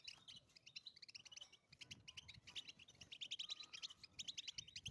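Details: European goldfinch in the wild, a fast sparkling medley of chirps and buzzy twitters that builds toward louder, ringing notes. A thin steady whistle sounds midway.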